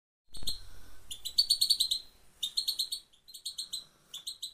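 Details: Female goldfinch singing: after a brief low thump, high, bright twittering notes come in quick bursts of rapid repeated chips, grouped into short phrases separated by brief pauses.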